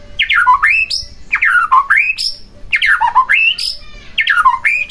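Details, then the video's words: White-rumped shama singing, meant to provoke a quiet shama into song: four loud repeated phrases, each a falling whistle that turns into a rising sweep and ends on a high clear note. "Pancingan Murai Batu Agar Bunyi Langsung Emosi Bongkar Isian"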